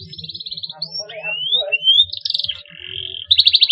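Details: Singing canary in the cuit cuit style for stimulating young canaries: a flat buzzy trill, then long smoothly rising whistled slides, a brief rolled phrase and a closing rapid pulsed trill, fairly quiet with little background.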